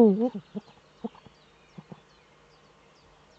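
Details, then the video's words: Nest webcam recording from northern Rhineland-Palatinate, Germany, 4 May 2013, of a male Eurasian eagle-owl courting in its breeding niche. The tail of a loud wavering cry is followed by a few sparse, short soft notes and then quiet. "Das Uhu-Männchen balzt in der Brutnische"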